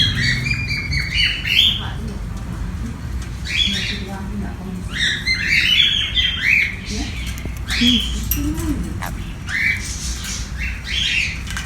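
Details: Pet sun conure at play, giving scattered harsh squawks and rising chirps in separate bursts every second or two, with faint low murmuring and background hum.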